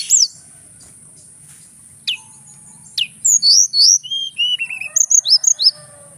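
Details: Javan whistling thrush, male, originally from Mount Merapi, singing vigorously: a few isolated sharp notes, then a burst of clear looping whistles and slurred descending phrases, over a steady high hiss and faint low hum.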